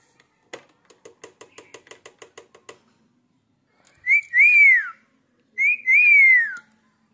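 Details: Male Indian ringneck parrot kept as a talking pet; a quick run of about a dozen soft clicks, then two loud, clear whistled notes that rise and fall in an arch, each lasting about a second.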